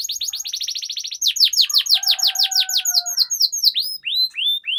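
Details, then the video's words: Canary long-rolling song: a rapid high trill gives way to loud falling whistled notes, with two steady lower whistled tones faintly underneath. "Suara Pancingan Burung Kenari Agar Cepat Gacor dan Ngerol, Masteran Suara Kenari Ngeroll Panjang"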